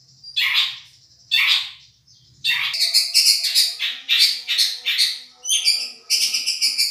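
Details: Madura long-tailed shrike in a champion masteran tutoring recording: two separate harsh bursts, then a dense stream of buzzy grating notes ending in a rapid high chatter, with faint low hum early on.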